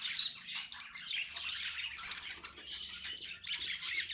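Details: Budgerigar noises: high chirps and wavering twittering notes in quick succession from pet birds, with a faint low hum underneath.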